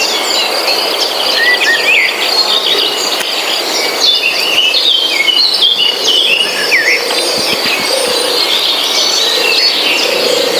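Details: Forest birdsong from many birds at once: quick whistled notes, rising slurs and chattering phrases crowd together over a continuous shrill insect drone, with faint low murmurs in the background.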